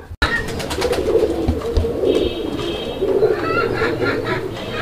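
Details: Kept pigeons of local deshi, Chila and Bombay types in Kashimpur, Gazipur, Bangladesh, giving a continuous low murmuring coo that rises and falls in waves, with a sudden start and faint clatter in the background.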